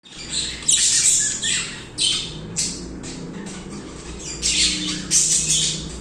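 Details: Pet budgerigars singing continuously: bursts of harsh, high squawky chatter and chirps in loud clusters separated by short quieter gaps, with a faint low hum underneath.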